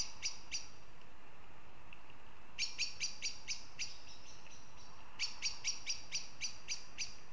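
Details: In Riga, Latvia, a northern goshawk gives two isolated sharp notes, then two fast chattering series of about six harsh, evenly spaced calls, against a faint steady rumble.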